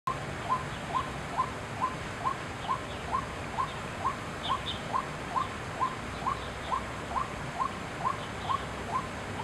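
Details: White-breasted waterhen at Chiang Kai-shek Memorial Hall, 6 September 2012: short, sharp mid-pitched notes repeated steadily about twice a second, each with a slight upward flick, over a noisy, rumbling background with faint higher chirps.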